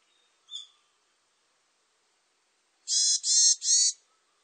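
A varied tit gives one thin high note, then after a pause three harsh, nasal, buzzy notes in quick succession, each about a third of a second long.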